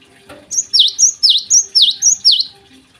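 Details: Java sparrow singing busily in the morning: a high flat note then a V-shaped swooping dip, paired and repeated about five times within two seconds, over a quiet background.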